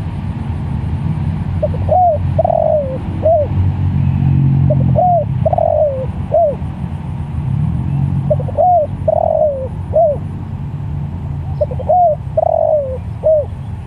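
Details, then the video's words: Spotted dove calling other doves, repeating its phrase four times at steady intervals: quick soft lead-in notes, a rising-falling coo, a drawn-out quavering coo sliding down, then a brief final coo, with low rumbling background. "Tekukur Sirambo Malemanggil Tekukur"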